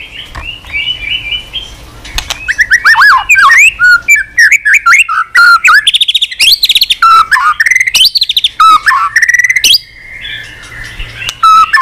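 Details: White-rumped shama pouring out a long, rich, varied song of loud fluty whistles, sweeping slurs and quick chattering trills, phrases tumbling one after another with barely a pause, over a faint low hum.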